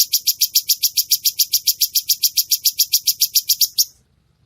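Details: Red-whiskered bulbul training recording for cage birds, with sharp, tight 'shots' and a clear voice: a fast run of high, sharp chip notes, about three and a half per second, evenly spaced, stopping abruptly near the end.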